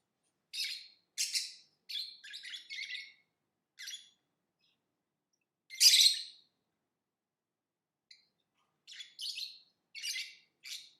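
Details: Lovebird chirping: quick rasping squeaks in a rapid cluster, a pause, one loud harsh squawk, then more short chirps in a loose series.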